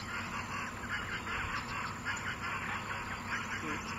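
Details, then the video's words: Bare-faced (whispering) ibises (Phimosus i. infuscatus) at Porto Jofre, Pantanal, Brazil, 27 September 2013: a soft, overlapping chatter of hoarse, murmured notes in a steady flock babble, with a thin constant high hiss behind. "Ibis à face nue (Phimosus i. infuscatus, Whispering Ibis)"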